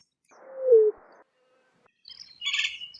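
A greater roadrunner gives a single low, dove-like coo that slides downward, followed a moment later by brief high chirps from another bird.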